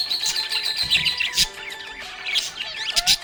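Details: Happy budgie producing rapid twittering chirps and short rising squeaks, mixed with a faint musical tone.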